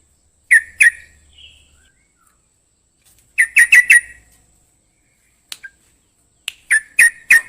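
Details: Sooty-headed bulbul giving loud, liquid two- and four-note phrases with a slight squawky edge. A few sharp clicks come between phrases, then a final burst of ringing notes.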